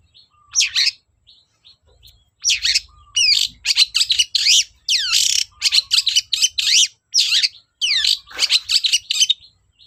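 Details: Long-tailed shrike singing loudly, used as a lure to coax reluctant shrikes into song: dense bursts of harsh, scratchy notes mixed with rising and falling whistles, delivered in quick clusters with short pauses.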